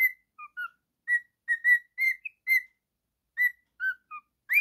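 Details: Male pet cockatiel whistling scattered short notes, some level and some upslurred or dipping, with brief gaps between, ending in a sharp rising note; quiet indoor setting.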